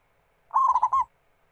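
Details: Local zebra dove (perkutut) singing, used as a lure to get other doves singing: a single half-second phrase of about four quick, rolling coos at a steady mid pitch, on a quiet background.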